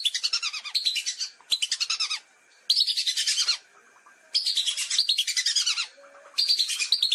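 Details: Hunting lure recording of lesser whistling duck: repeated bouts of fast, piercing whistled notes, each run about a second long, coming in close succession with short gaps, a faint constant tone underneath.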